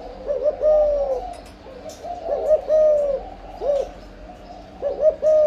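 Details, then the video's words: Low, throaty coos of a breeding spotted dove in the âm lối style. Short lead-in notes each swell into a longer descending coo, four phrases in five seconds. "Chim cu gáy sinh sản, cu gáy âm lối"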